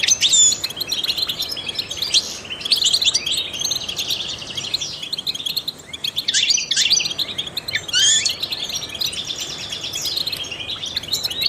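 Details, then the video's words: A trained European goldfinch sings to stimulate other songbirds, pouring out long twittering phrases of rapid high chirps and short trills, with a brief lull around the middle and light background hiss. "goldfinches chirp to stimulate songbirds"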